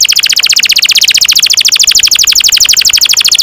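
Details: Canary delivering a long roll, the song used to train young canaries: a fast, even trill of sharp repeated notes, roughly nine per second, held unbroken throughout.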